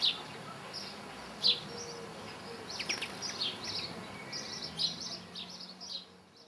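A common linnet gives a quick, twittering song of short, high chirps and trills in loose bursts, over a soft background hiss.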